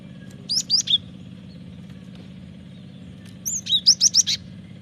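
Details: Cinereous tit in full vigorous song, meant as a lure and training song: a short run of three sharp, high whistled notes, then after a gap a faster string of about six bright, slurred notes, with a low rumbling hum behind.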